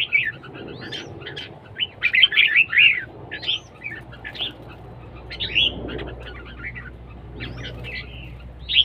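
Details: Red-whiskered bulbuls singing in competition, siêng ché style: short upward-hooked whistles and bunched chattering notes repeat in irregular groups over a steady low background hum.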